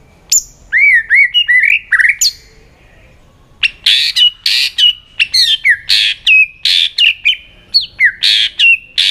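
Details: Competitive song of a white-rumped shama, many-voiced: looping whistles, a short pause, then a long run of loud clipped notes, each ending in a whistled tail, repeated about twice per second.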